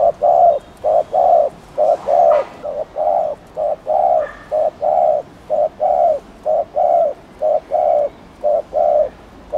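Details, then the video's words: Long run of spotted dove cooing meant to fire up other doves: regular pairs of a brief hoot and longer rounded coo, about once a second, with a faint rustle early on. "CHIM CU GÁY GÙ ( BO )/ CU GÁY GÙ KÍCH MỒI NÓNG MẶT"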